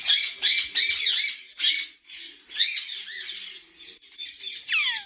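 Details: Loud, harsh screeches from ringneck parrots at a Pakistani breeding farm, coming in several strong bursts, ending with a shrill call that slides downward.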